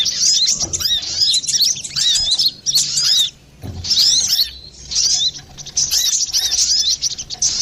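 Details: Noisy, clear-voiced brown-throated sunbird on a lure recording meant for bird catching or singing therapy: scratchy, high twittering bursts separated by brief gaps, with a short quiet break mid-way.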